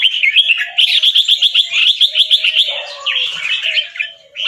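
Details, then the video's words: A caged fancy albino Red-whiskered bulbul, white with red eyes, from a Chonburi, Thailand competition line, during training song. A quick rattling series of about a dozen chopped notes, then a softer warble and a final bright phrase, with a low whistle underneath. "นกกรงหัวจุกแฟนซี เผือกขาว ตาแดง เจ้าฉลามชล เสียงร้องเบิ้ลๆ ริกๆ สับไว"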